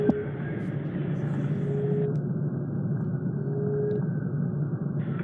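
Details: A steady low vehicle rumble with a few faint thin tones, and no animal voice to be heard.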